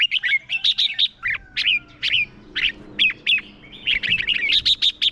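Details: Decoy red-whiskered bulbul in fighting song meant to draw wild birds in, delivering lively chains of sharp, warbling whistled phrases almost without pause, notes bouncing and slurring up and down in quick succession.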